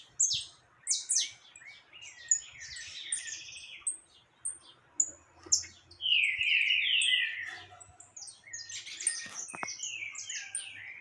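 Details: Saffron finch singing vigorously among free birds on 20 October 2021; bursts of quick high chirps and buzzy descending notes, pausing between loud phrases, with faint low hum in places.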